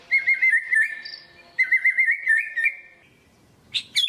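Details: White-rumped shama, kept in a cage, singing a lure song: quick trilled series of repeated whistled notes on a steady pitch, given twice, then a short high burst at the end.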